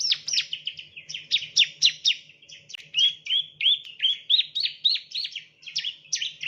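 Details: Chirping of the bar-winged prinia, played as a training lure: a long, busy stream of quick, sharp chirps that shift into tighter, lower rolling notes midway, nearly continuous, with a soft steady hum in the background.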